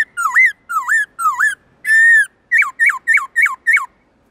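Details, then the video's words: Forest-style song (giọng rừng) of a Black-throated laughingthrush, meant for training other birds. Three hooked whistles lead to one long, steady note, then five quick rising-and-falling whistles follow in rapid rhythm. "Khướu bạc má HÓT GIỌNG RỪNG tone dài to rõ cực hay| Luyện khướu bạc má hót giọng rừng mỗi ngày"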